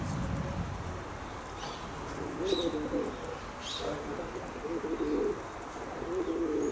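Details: Pigeons kept by their owner cooing in short, low, throaty phrases at about two and a half, five and six and a half seconds, with brief higher chirps between.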